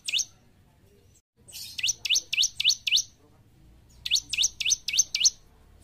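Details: Caged-bird training song of the bar-winged prinia (ciblek), gacor style: two tight runs of five bright, upward-sweeping chirps each, with a brief pause between them.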